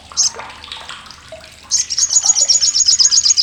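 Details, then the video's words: Sogok Ontong, the olive-backed sunbird, used as a tutor for competition birds for its loud, harsh, sharp chattering: soft scattered chips, then a rapid piercing high rattle repeated quickly until the end. "CRECETAN SOGOK ONTONG"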